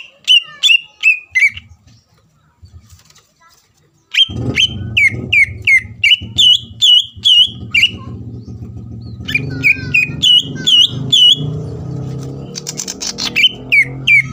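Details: Greater green leafbird song used to provoke a rival: rapid downslurred whistles in phrases, partly overlaid after the opening by steady low mechanical rumble and noise.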